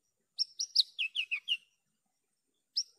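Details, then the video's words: Javan bush lark phrase: three high whistled notes followed by a descending string of slurred, buzzy chirps. After a gap, two more high whistles begin. Quiet background. "PANCINGAN/MASTERAN JERNIH BRANJANGAN GACOR...."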